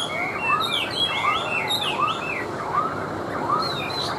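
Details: Tame caged Chinese hwamei, hand-carried and set on a table to sing: a rising whistled arc repeated about every 0.75 seconds beneath higher, varied looping whistles, over a steady noisy background.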